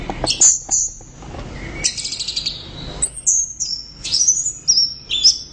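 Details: Orange-headed thrush in loud, lively song of high thin whistles, slurred falling notes and sharp chirps delivered in rapid bursts.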